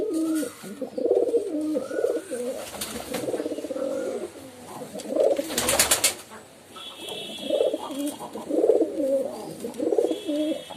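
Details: Pigeons cooing in low, rolling, throaty phrases that overlap one another, broken by a sharp burst of broadband noise near the middle and a faint steady high tone later on.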